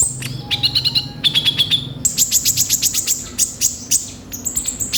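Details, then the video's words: A kolibri ninja sunbird singing hard, rough-textured filler phrases for prompting other birds: short rattled trills give way to a long run of very high, evenly spaced chirps. "Pancingan suara burung kolibri ninja gacor full isian kasar"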